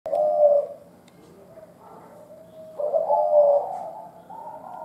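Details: Old, wild-born local spotted dove cooing in low, mellow, hollow notes: one drawn-out coo, a quieter pause, then a longer run of rolling coos. A faint steady hum sits underneath.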